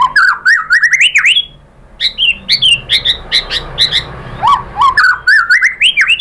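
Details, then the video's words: Murai batu lure song to get other shamas answering and singing: rising stepped whistles and sharp chips in quick bursts, a brief quiet gap, then more varied fluty whistles climbing in pitch. "biar NYAUT dan GACOR MURAI BATU cocok pakai PANCINGAN ini di jamin juga BONGKAR MATERI ¦ SHAMA BIRD"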